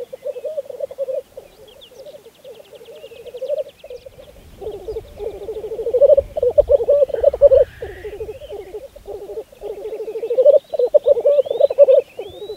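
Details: Black grouse at a spring lek on Saaremaa in 2014, giving a continuous low bubbling, cooing roll that swells and fades in long phrases, with overlapping rolls from several birds and faint higher calls in the background.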